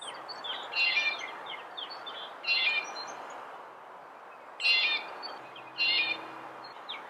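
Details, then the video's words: Red-bellied woodpecker uttering four rolling, slightly buzzy churr notes in pairs with gaps between, plus faint high chirps over soft outdoor hiss. "Red bellied Woodpecker Bird Sound, Bird Song, Bird Call"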